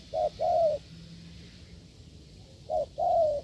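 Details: Wild spotted dove meets a decoy test with hard cooing. Two low phrases sound, each a short coo joined to a longer, softly falling coo. A quiet gap of almost two seconds separates them.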